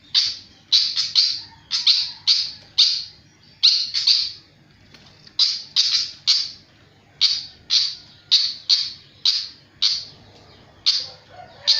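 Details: Flycatcher singing very energetically: rapid, loud, rasping chirps in clusters of two to four, separated by short pauses, continuing steadily for about twelve seconds with a faint low hum behind.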